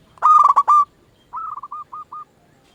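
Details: A zebra dove from local stock, used to stimulate other doves to sing back, gives one loud vibrating coo, then after a pause a quieter series of six short descending notes.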